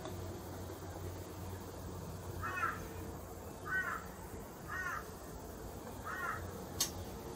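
A young Australian magpie gives four nasal, wavering begging squawks, roughly one every second, over a low steady hum and a single sharp click.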